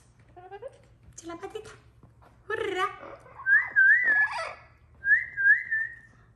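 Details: Amazon parrot kept as a pet, let out and calling the cat, makes a few soft speech-like syllables, then two loud wavering whistled phrases that rise and dip, in a small indoor room.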